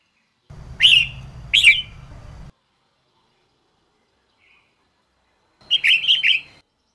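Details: Red-whiskered bulbul female for triggering male song: two loud upswept chirps close together, a long silence, then a fast run of four or five chirps near the end.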